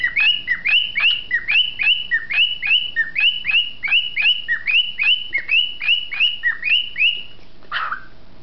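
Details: A cockatiel "giving a lecture", recorded 9/1/07, repeats a bright, rising whistled phrase about once a second, ending in a harsh squawk.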